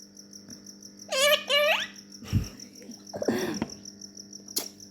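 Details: Yellow ringneck parrot making two quick, squeaky rising nasal calls, followed by soft muffled sounds and a sharp click; crickets trill steadily in the background.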